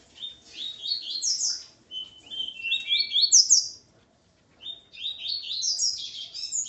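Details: A male double-collared seedeater with its female sings bright, high phrases of rapid slurred and buzzy notes in bursts of about two seconds, with short pauses between.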